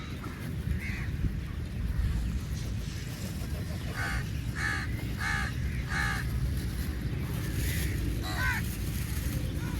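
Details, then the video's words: Crows feeding together, with a rhythmic series of rasping caws about every half second, a single earlier caw and a later pair, set against constant low-frequency noise. "Crow sounds"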